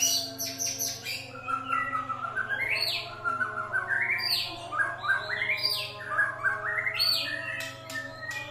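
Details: Rich varied song of a white-rumped shama, used to provoke rival birds: loud upslurred whistles and quick chattering phrases repeated every second or two, with a steady low hum behind.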